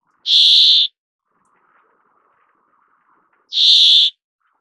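Brambling giving two harsh, nasal, buzzy 'dzweee' calls about three seconds apart, each roughly half a second long, with a faint low murmur between.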